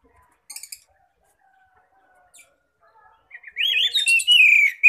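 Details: Oriental magpie-robin singing in the loud ngeplong style, used as a lure to call other magpie-robins; near-silence with faint high chirps, then a burst of loud, rich whistled phrases sliding between high and middle pitch.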